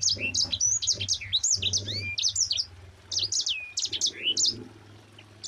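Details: A yellow-fronted (Mozambique) canary sings a fast, tightly packed rolling run of high, bright chirps and sweeping whistles, with a brief pause midway and some low background rumble.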